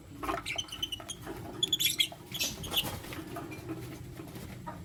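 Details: Lutino lovebirds, a male among two females he chooses between: quick run of thin, high squeaky chirps with some piping tonal notes in the middle, then softer chatter.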